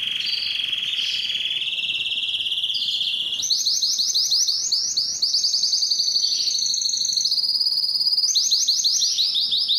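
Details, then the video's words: Canary singing loudly and continuously: long rapid trills and rolling tours at high pitch, stepping between levels, some phrases buzzy and fast, others smoother, with no pause across the whole stretch. "canary singing"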